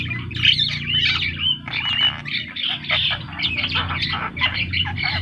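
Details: Vigorously singing Javan myna giving a continuous stream of harsh, buzzy squawks and scratchy chattering notes in quick irregular bursts, with a low mechanical hum underneath.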